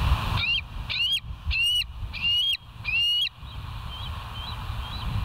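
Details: Bald eagle calling at the West End nest on a live camera, 17 September 2023 at 06:50: five loud, piercing whistled notes with a stuttering edge, about one every 0.7 seconds, then fainter distant chirps trailing off over low wind noise.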